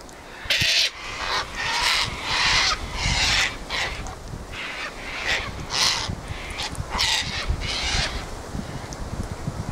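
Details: On a windy day, a flock of Sulphur-crested cockatoos gathered at their regular spot screeches and squawks continuously, with many overlapping harsh, grating calls in quick succession over wind rumble.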